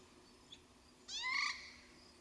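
A white-necked crow gives one nasal, harmonic-rich call about half a second long, rising slightly then holding level, after a faint brief note.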